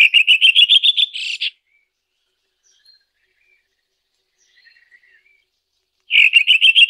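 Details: A singing Red-throated thrush delivers a rapid run of evenly repeated bright notes, falls silent for several seconds with only faint distant chirps, then starts the same quick trill again.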